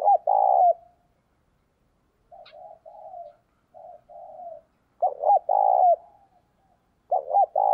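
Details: Decoy spotted dove calling to draw in wild doves: loud, mellow, low coos in phrases, a strong double-note burst opening and closing each phrase, softer drawn-out coos between, with clear pauses of silence.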